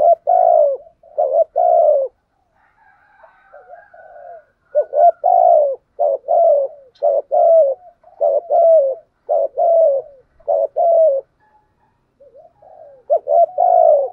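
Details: Spotted dove used as a decoy, cooing steadily over fourteen seconds: repeated pairs of a short rising note and a longer falling coo, about ten phrases with brief gaps and soft faint notes.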